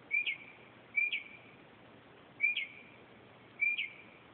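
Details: Northern mockingbird singing at night, 2:30 am, repeating a sharp upslurred whistle with a flick at the top, four times at irregular one-second intervals over faint hiss.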